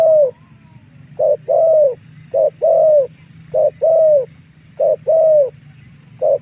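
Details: Spotted dove lure call used to draw wild doves into fighting: mellow low coos in pairs, a short note then a longer drawn, slightly falling coo, repeated about every second, over a steady low hum with faint high chirps.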